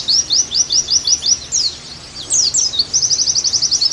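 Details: Oriental white-eye singing on a recording used to make pleci sing actively again: rapid high chirps in quick runs, a brief quieter gap, then an evenly spaced trill of sharp notes.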